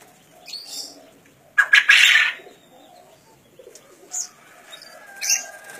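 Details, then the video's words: A wild-caught green junglefowl, 1.5 years old, from Kediri, East Java, gives one short, hoarse, rasping crow under a second long; thin high chirps of small birds come before and after it. "KOKOK AYAM HUTAN HIJAU"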